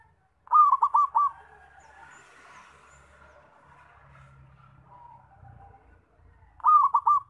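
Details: Zebra dove, loud call for luring and trapping: rolling bursts of three or four rapid coos at start and end, with rustling and low rumbling noise in between.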